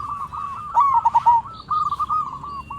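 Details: Zebra dove, a local bird in full song, meant to provoke other zebra doves to reply: a rapid rolling phrase of short bubbling coos, then a steadier run of even cooing notes, with a faint hum underneath.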